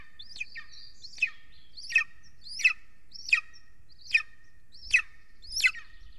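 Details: At an Estonian golden eagle nest watched by a live camera, evening of 3 June 2020, as an adult brings a huge prey: a steady series of sharp, high, downslurred yelps, about eight in six seconds.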